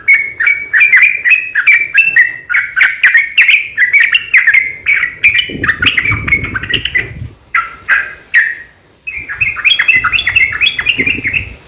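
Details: Sooty-headed bulbul delivering a long, rapid fighting song as a lure for other bulbuls: nonstop chattering warble of sliding notes and ticks, interrupted by rustling noise and a brief silence before the chatter resumes.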